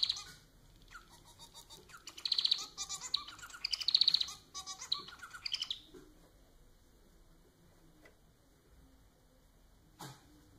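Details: Domestic society finch (Lonchura striata domestica) kept as a pet, delivering a song of rapid buzzy high trills and clicks in several pulsed bursts over about five seconds, then a long quiet pause and a faint final note.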